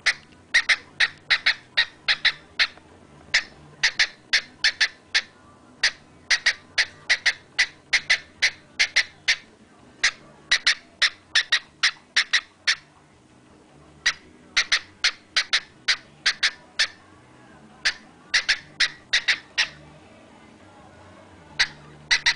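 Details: A male pet cockatiel sings a run of short, sharp, bright chirps, about two each second in uneven bursts, with a white feather on his nose; laughter is heard around the song.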